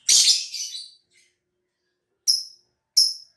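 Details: Caged lovebird from Gresik, East Java, Indonesia, bred for song contests; a harsh, noisy burst of high chirps at the start, then two short sharp chirps after a pause.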